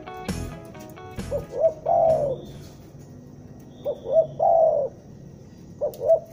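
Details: Spotted dove lure call from Bandung, used for trapping: clicks and a brief tonal sound open, then two short rising coos and a long, falling, slightly rough coo. The phrase repeats about every two and a half seconds.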